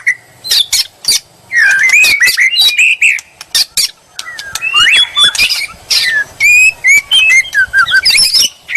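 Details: Provocation song of a white-rumped shama: scattered sharp chips, then bursts of fluty warbling and short whistled phrases separated by short silences.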